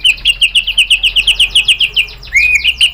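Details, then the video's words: White-rumped shama song used as a lure: a rapid series of about seventeen clipped, buzzy whistled notes repeated evenly, then a sweeping upward-and-down slurred whistle at the end. "OCEHAN MURAI BATU bikin NYAUT jadi EMOSI NYAUT GACOR BONGKAR MATERI ¦ PANCINGAN MURAI ¦ SHAMA BIRD"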